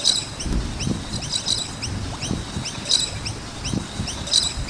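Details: Noisy miners around a skate park give quick, high, upward-sweeping chirps in dense overlapping series. Several birds appear to call together, with brighter bursts every second or so. Low dull thumps sound underneath.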